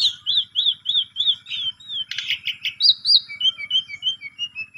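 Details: Asian pied starling lure song for a sulking bird: a run of arched whistled notes, a harsh rasping burst, then high squeaks and a falling series of thin, short whistles in steady pulses.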